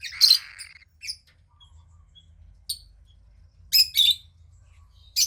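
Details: Female cockatiel nestling about 15 days old, daughter of a pied cockatiel pair; loud scratchy squeals open, then scattered brief chirps and a pair of harsh raspy squawks, with a low hum underneath.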